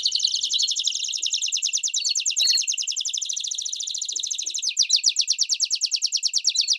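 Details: Canary singing a Campainha-style song with chirps, used to train young canaries: a long, fast, even buzzy trill, high and steady. After about four and a half seconds it shifts into slower, more distinct pulses.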